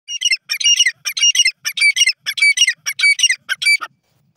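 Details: Grey francolin, locally called teetar, giving a loud, harsh, rhythmic run of grating syllables, about a dozen squawky notes in quick pulsed groups that stop abruptly after four seconds, against a silent background.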